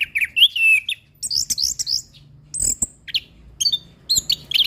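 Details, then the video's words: Anis kembang (orange-headed thrush) in settled song for training other birds: a rich warbled opening phrase, a run of high twisting whistles, then short scattered chirps and buzzy notes with brief pauses. "Anis Kembang Pastol Dengan Suara anis Kembang Mapan"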